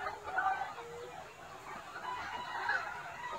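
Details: Free-range Gà Nòi, Gà Tre and crossbred chickens range over a roomy yard by day. Clear clucks and brief cackling notes repeat irregularly over a steady murmur from the flock.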